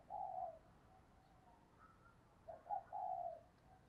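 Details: Spotted dove used as a decoy bird to stir up other doves, cooing in a deep drawn-out voice: a low hoarse coo, a faint softer note, then a stuttered double coo running into a long final coo.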